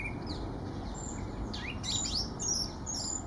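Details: A song thrush sings short, sharp, high notes and quick slurred phrases, fairly faint, over a steady low rumble of distant traffic, in Kensington Gardens on 4 January 2019.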